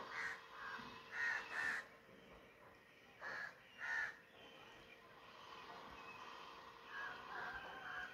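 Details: Crow giving scattered harsh caws, a pair near the start and another pair after a pause, with fainter calls trailing off at the end over a steady low hum.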